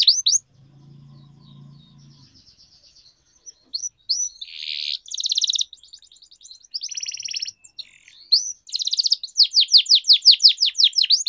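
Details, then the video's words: Canary song used to train canaries to sing, in the Indonesian gacor long-roll style: bright high twittering phrases, buzzy bursts and a fast run of repeated rising whistled notes, after a brief low hum at the start. "Canary Singing Training, Kenari Gacor Ngerol Panjang,Pancingan Kenari Macet, Masteran Kenari Paud"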